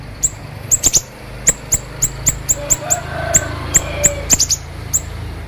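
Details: Siri-siri bird singing actively, sharp konslet style, recorded as training for other birds: piercing high chirps, single or in tight pairs and triplets, repeated at uneven intervals over low background hum.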